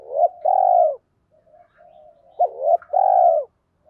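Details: Lure spotted dove voice for making wild birds coo in reply: two phrases, each a sharp short note then a long, even, buzzy coo, with soft murmured notes between.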